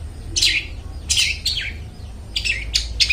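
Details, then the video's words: Clear-voiced long-tailed shrike song, used to lure mute shrikes into singing: a few harsh, downward-sliding scratchy notes, then quicker grating chirps in short bursts. "suara burung cendet gacor suara plong cocok buat pancingan burung cendet bisu"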